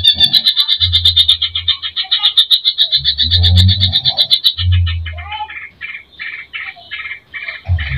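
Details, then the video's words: A greater green leafbird in vigorous full-repertoire song, used to provoke other birds, pours out a fast, continuous chatter of high, bright trilled notes over bursts of deep, throbbing low thumps. "Pancing emosi Cucak ijo gacor full isian"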